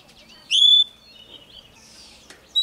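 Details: Young male Oriental magpie-robin singing as a wild bird approaches: one loud, clear, high whistle held briefly with a slight fall, then quieter slurred notes and a short sharp note at the end.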